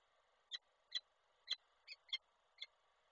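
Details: Peregrine falcons in Koszalin, Poland, recorded 29 November 2023 when the male brings prey to the female, who refuses it. Six clipped, ringing call notes fall roughly every half second over a quiet background.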